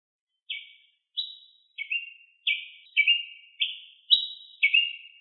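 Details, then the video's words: Ruby-crowned tanager in the wild singing a quickening sequence of eight crisp chirps, some doubled, shifting between higher and lower notes, with no other noise. "TIÊ PRETO CANTANDO MUITO - CANTO DO TIÊ PRETO NA NATUREZA"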